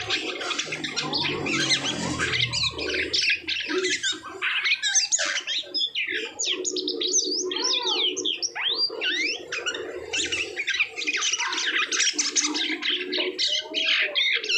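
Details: Asian pied starling after moulting, singing a dense, varied run of sweeping whistles, rising and falling slurred notes and harsh chatter, nearly continuous throughout, with some low murmuring near the start.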